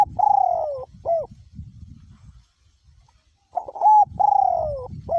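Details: In strong wind, a caged spotted dove decoy bird coos. One phrase ends the opening, then a full phrase follows after a quiet gap: short note, long descending mellow coo, brief final note. Faint wind noise underneath.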